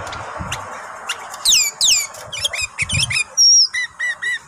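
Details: Sooty-headed bulbul kept at home while moulting, singing a lively run of loud whistled downslurred notes and quick chirps, ending in a clear steady whistle and short repeated notes, with faint low thumps behind.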